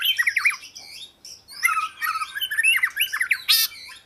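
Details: Oriental magpie-robin giving rapid, looping squeaky notes and harsh chattering phrases, with a short pause midway and a loud rasping burst near the end.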